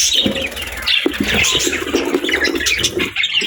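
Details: Budgerigar family of parents and chicks during gentle feeding: a rapid stream of high, twittering chirps and short squawks, mixed with a few lower soft notes and faint fluttering.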